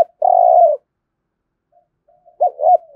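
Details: Competition cooing (thúc gù) of a spotted dove from Đồng Nai, Vietnam. A long steady low coo is followed by a pause, then soft notes and two quick swooping hoots starting a new phrase. No other sounds.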